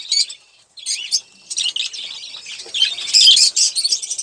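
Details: A single olive-throated parakeet, a male kept as a pet, calling while eating sunflower seeds and drinking water. Brief harsh, buzzy chirps arrive in uneven bursts, some with arched notes. Scratchy, noisy clicks fill the short gaps between them.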